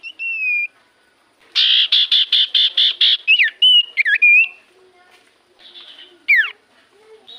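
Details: Common iora song used as a lure to draw replies from silent birds: a level whistle, then about ten harsh, buzzy repeated notes, then twisting whistles and a sharp falling slur.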